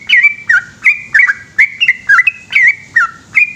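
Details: Yellow-vented bulbul at night giving a long 'ropel' song: quick bright whistled notes, each dipping or flicking in pitch, tumbling out roughly three a second over a faint low hum.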